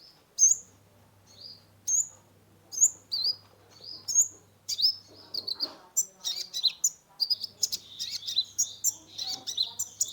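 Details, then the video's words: Sunbird (kolibri ninja) kept in a cage, singing energetically as a lure recording: spaced sharp high chips at first, then a dense run of squeaky twitters and trills, with a steady low hum in the background. "Terapi pancingan konin gacor full isian mengatasi burung stress"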